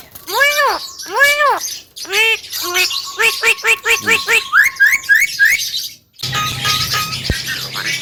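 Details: Javan myna giving two long arched wailing notes, then quick harsh chattering phrases over a steady thin whistle, ending in a brief pause and low background hum.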